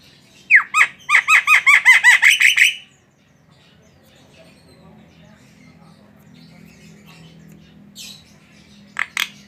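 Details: Jalak singing a fast string of about ten scratchy, downslurred notes, followed by quiet and two brief sharp calls near the end.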